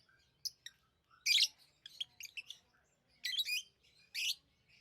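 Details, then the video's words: Lovebirds kept as tame pets, chirping in short harsh bursts of high, buzzy notes, with quiet gaps between calls and a faint low hum beneath. "Love birds Sounds | lovebirds chirping sounds| parrot beautiful sounds"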